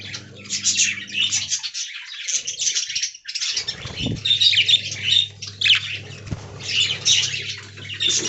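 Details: Caged budgerigars in a colony pour out continuous high, chirpy warbling and squeaky twitters, with brief pauses, a couple of knocks and a steady low hum behind.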